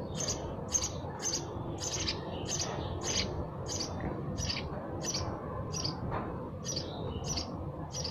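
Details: Sparrow chirping: a steady run of short, bright, high chirps about two per second across eight seconds, over a low background rumble.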